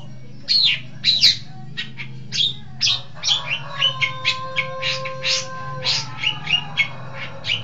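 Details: Long-tailed shrike lure recording: quick scratchy chips and squeals in a fast, uneven series, with a steady low whistling tone running underneath for several seconds.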